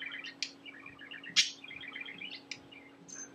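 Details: A talking pet budgerigar named Gustav chatters in a busy run of quick, high chirps and warbled notes, broken by a few sharp, scratchy bursts, over a faint steady hum; he has learned phrases such as "Baby Discus", "Gustie Boo", "Schnuppi Boo" and laughter.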